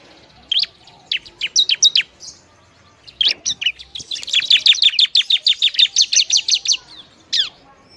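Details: Ciblek song for stirring up other prinias: scattered high chirps, then a long even train of rapid sharp repeated notes, ending with a single chirp.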